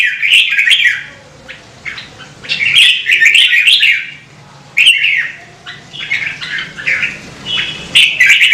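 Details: Red-whiskered bulbul song for prompting birds to sing; bursts of quick, bright warbling whistles with short gaps, a few sharp clicks, over low steady hum.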